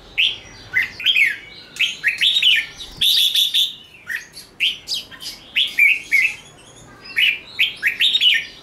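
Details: Red-whiskered bulbul, a bird trained for singing contests, delivering bright whistled phrases in repeated bursts of rising and falling notes, with short pauses between groups of two to four phrases.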